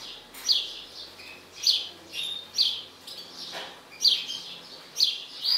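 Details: An agitated mutant European goldfinch gives clear, high chirp clusters, five or six loud bursts spaced about a second apart, with quieter twittering between them.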